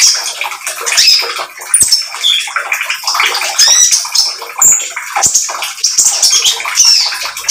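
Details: Oriental magpie-robin, speckled form, singing vigorously as a lure that prompts other birds to follow its song; thin high whistles, slurred squeaks and scratchy twitters run continuously in busy, overlapping phrases.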